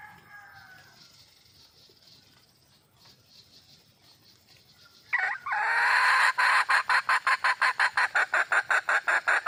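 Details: Wild red junglefowl hen calling for a male, faint tonal notes and background hiss at first, then a loud run of harsh, evenly spaced pulsed clucks, roughly three per second, filling the second half.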